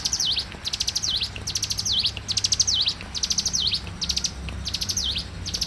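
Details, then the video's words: Morning song of a bar-winged prinia: quick strings of high chipping notes, each closed by a swooping V-shaped whistle, repeated about once a second throughout; soft low background hum. "suara alam cigun gacor dipagi hari"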